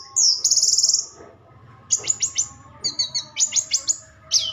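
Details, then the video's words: Orange-headed thrush singing: a high buzzy trill held for about a second, then bursts of rapid sharp chirps and short descending notes, loud and close, with a faint steady hum underneath. "kicau anis merah"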